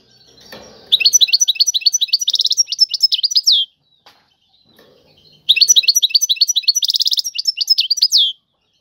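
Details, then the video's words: Two long phrases of European goldfinch song in the tiwawati style. Each is a fast series of ringing, slurred chirps that runs into a buzzy trill and closes with a falling note. "اعظم تغريد الحسون طيواواطي"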